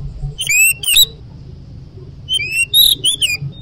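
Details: Oriental magpie-robin in 'ngoceh gacor' song: two short loud bursts of bright, upslurred whistled notes, a quiet gap, then a further cluster of ringing, rising notes over faint low hum.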